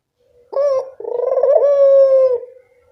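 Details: Barbary dove, an active caller whose voice is used to train quiet birds: one abrupt introductory note, a brief break, then a long pulsing coo that levels into a smooth, even tone.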